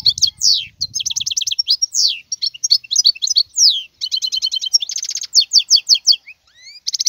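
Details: Wild goldfinch delivering rapid, tinkling song: quick chattering trills, sweeping downward slurs and a harsh buzzy burst around five seconds, ending with thin rising whistles; faint low rumble at the start.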